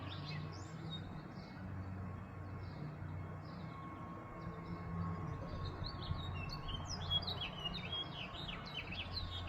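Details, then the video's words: A male house finch, apparently imitating a robin's song, gives a run of short, high chirps and warbled phrases that swell into a busier burst near the end, over a steady low background rumble. "This Birdo infiltrator is a #HouseFinch sings like a Robin"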